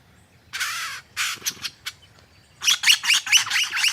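A superb lyrebird gives a few harsh, rasping, crow-like squawks, then a fast run of scratchy, grating notes about six per second.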